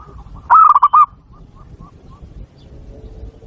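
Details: Zebra dove from Bangkok on a training recording for other doves: one loud rolling phrase of a long coo then rapid coos, followed by soft distant cooing and low background rumble.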